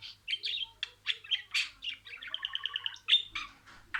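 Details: Pet budgerigar repeating words in order. Scratchy warbled phrases, then an evenly pulsed stutter of about ten quick notes, finished by sharp squeaks.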